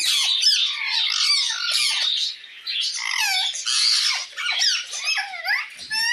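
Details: A parrot calls to another parrot with clusters of raspy screeches and curving whistled squeaks, a quieter stretch midway, then more bursts ending in a bright upward note.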